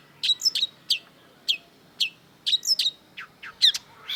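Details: Cendet or long-tailed shrike singing a varied jumble of sharp high notes, swept chips and squeaky phrases in irregular bursts, with little background noise.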